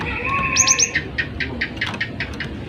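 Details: Energetic gelatik batu (cinereous tit) song recorded as a tutor for other birds: a buzzy trill, then three quick high piercing notes, followed by a rapid run of short chirps repeated about every tenth of a second.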